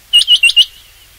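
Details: Rain quail call used for hunting: four sharp, high, clipped notes in quick succession, each with a brief upward flick, then a faint trailing tone.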